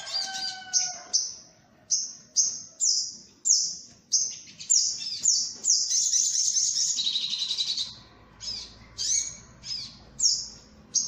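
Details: Sunbird lure call played loudly to draw birds down to sticky traps: high, sharp downslurred chips repeated about twice a second, a dense rapid trill mid-clip, and a few lower whistles at the start.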